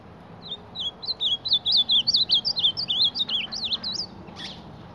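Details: Reina mora (ultramarine grosbeak) attacking its reflection in a mirror: a steady stream of about fifteen looping, slurred whistles in quick succession, ending with a short click.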